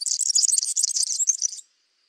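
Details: European serin feeding on cabbage seeds in a backyard, singing a fast, jingling, high-pitched buzzy trill of tightly packed notes lasting about a second and a half, then silence.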